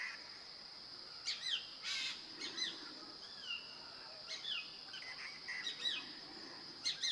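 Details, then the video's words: A hair-crested drongo in the Indian Himalaya at Ranikhet, Uttarakhand, sings at the top of its voice, competing with a Himalayan treepie and sheep: sharp metallic chirps and twanging notes in irregular bursts over a steady high insect whine. "Hair-Crested Drongo"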